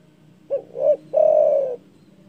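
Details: Big-voiced spotted dove call said to anger rivals: a quick low hoot, a rising and falling second hoot, then a sustained, gently falling coo, delivered once.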